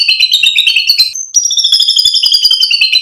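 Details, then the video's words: Fill material from a shama's song, used to rouse other birds: a fast, dense, buzzy trill of high layered notes, briefly broken, then running on as a steady shimmering rattle. "PANCINGAN MURAI BATU biar EMOSI NYAUT jadi GACOR BONGKAR MATERI ISIAN | SHAMA BIRD"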